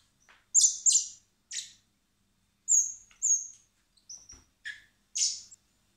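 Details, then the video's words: Hand-reared common blackbird chicks at a wildlife recovery centre in spring, begging while being fed before release; rapid high-pitched squeaky notes, often paired, in a busy run of about ten calls. "Cebando a los polluelos de mirlo común (Turdus merula)"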